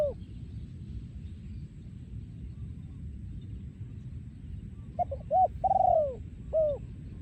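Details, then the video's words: Breeding male spotted dove, 'yon ku ang' song style. After several seconds of low rumbling background, one late phrase arrives: short coos, a drawn-out descending coo, then a single short coo. "พ่อพันธุ์ 2023 โยนคูอ่าง"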